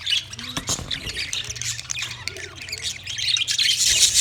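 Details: White male budgerigars chirping while mating; rasping squawks and quick high chirps, sparse at first then swelling into loud, dense chatter over the last second, with a faint low hum.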